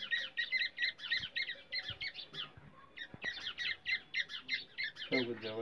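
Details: Black francolin calls from India, forest setting, used to lure and trap francolins: a fast stream of harsh, squawky two-part chirps, about three to four a second, overlapping as if several birds call, ending with a lower, drawn-out nasal sound.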